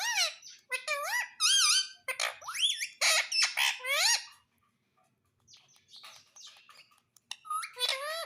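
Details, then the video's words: Pet talking parrot gives a long run of loud, harmonic, whistled notes in quick succession, many rising then dipping. A quieter gap of soft chatter follows, then the whistles return at the end. "Talking Parrot"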